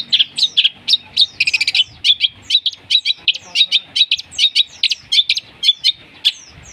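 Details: Long-tailed shrike mimicking fighting sparrows and lovebirds to lure rivals: a busy, rhythmic flurry of short metallic chirps and squeaky notes, nearly unbroken throughout.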